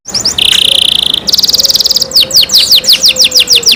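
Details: Canary kept as a pet singing loudly: a buzzy sustained roll, then a rapid even trill, then a series of falling whistled notes.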